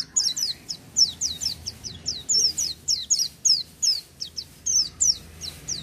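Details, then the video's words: High-pitched oriental white-eye song delivered vigorously without doping: steady stream of sharp, falling chirped notes, roughly two to three per second, with brief twittering clusters and a quiet low background. "pleci buka paruh tanpa doping gacor dor"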